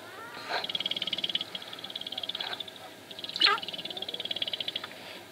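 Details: Sharp-tailed grouse dancing at Wainwright, Alberta, 2015, giving a fast run of even pulses that throbs for seconds at a time, broken by two sharper rising calls, over a constant high-pitched background hiss.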